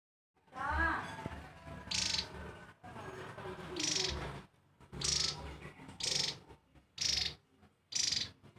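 Javan tesia giving loud, high, hissy bursts, about one a second, with some lower background sounds between them.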